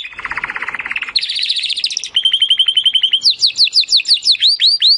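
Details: Timbrado canary singing, used as canary training audio: a low rattling trill rises into a higher buzzy roll, followed by a fast level trill, then repeated descending slurred notes at about three per second.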